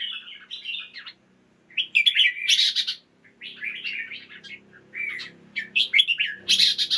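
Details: Caged red-whiskered bulbul singing in the morning, used to stimulate other caged birds: bright chattering warbled phrases rising and falling, delivered in quick bursts separated by short pauses, with a faint low hum underneath.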